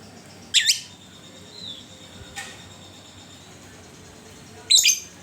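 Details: Lovebird used as a lure to get other lovebirds singing, giving two sharp, shrill chattering bursts about four seconds apart, with a faint whistled note and a click between them.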